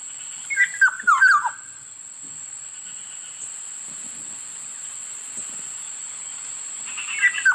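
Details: Kilyawan (Black-naped oriole) giving a slurred, falling whistled phrase near the start and another at the end, separated by quiet stretches with a steady high tone.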